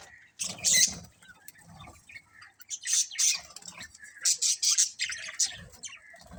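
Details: Colourful budgerigars in a colony chirping: bright, harsh chirps and warbled chatter in clustered bursts separated by brief quieter gaps.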